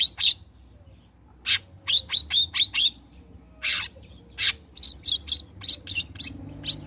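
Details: Long-tailed shrike after bathing, offered as a lure to start it singing: quick runs of clipped, scratchy chirps in bursts of three to five, interspersed with harsher single notes.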